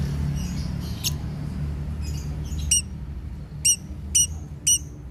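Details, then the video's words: Lovebird in daily care, 'konslet' style song: a few scattered high squeaks and a short burst, then a run of four evenly spaced, piercing ringing chirps, with steady low-pitched background hum throughout. "lovebird konslet"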